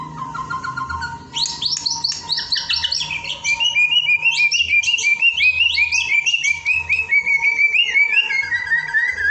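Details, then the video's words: White-rumped shama song used as a lure to train singing: a fast, varied run of sharp whistled notes and sweeping phrases, some high and some dropping lower, over a steady faint electrical hum. "Pancingan untuk latihan berkicau murai batu"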